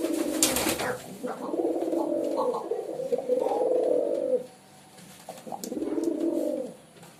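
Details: Pigeon cooing: a rolling, throaty low coo lasting about three seconds, then a second shorter coo after a pause, with a few sharp clicks at the start.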